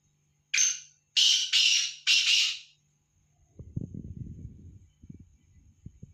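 A Black Francolin gives four loud, harsh, grating notes in a quick phrase, followed by low rumbling handling or wind noise.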